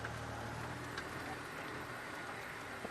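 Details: A steady low vehicle rumble and broadband hiss fill the clip, with faint clicks and no clear animal calls.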